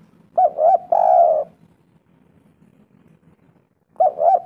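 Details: Spotted dove call used as a lure to make other birds respond: paired hooting notes and a long, loud coo, a quiet pause, then the next phrase beginning with the same double hoot.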